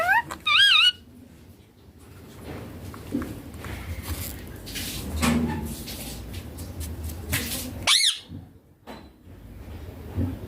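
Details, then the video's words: Pet green ringneck parakeet said to speak papa and mummy; a loud wavering, warbled phrase at the start and a sharp high rising note later, with knocks and shuffling indoors. "Ringneck green parrot loving papa mummy bolne wala"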